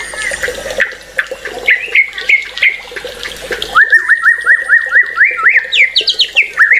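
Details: White-rumped shama singing with agitation: scattered whistles, then a quick, even series of about a dozen rising and dropping notes that climb higher toward the end, over a rushing background.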